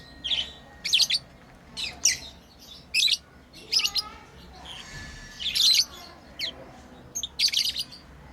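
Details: Playing pet lovebirds chirping in irregular shrill bursts, about one every second or so, some notes buzzy and raspy, with faint low background sound.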